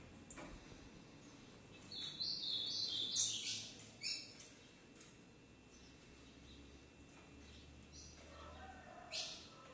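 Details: Ultramarine grosbeak, a captive-bred pair of the harlequin mutation in Brazil, singing in the standard 'sintonia padrão' style: a bright, rapid burst of warbled high notes over about two seconds, then a few short chirps, with low background hum.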